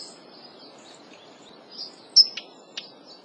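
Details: A Daurian redstart's single bright, high whistle followed by two dry clicking ticks, after a stretch of faint high twittering.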